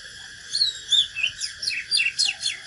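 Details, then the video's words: ['Brief stretch of Oriental magpie-robin fighting song: a fast string of high bright whistles and slurred notes rising and falling, roughly seven notes in under three seconds, from a natural bird.'] "KÍCH LỬA chòe than || Chích chòe than HÓT ĐẤU CHIM TỰ NHIÊN"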